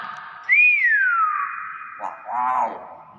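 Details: Talking common hill myna, a clever pet bird imitating speech: a loud clean whistle that jumps up, then slides smoothly downward and levels off, followed by a short, harsh, voice-like syllable.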